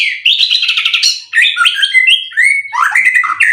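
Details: Caged white-rumped shama kept for song contests, delivering a fast, bright song of trilled high notes, clear whistled phrases and quick twittering flourishes, with no other sounds.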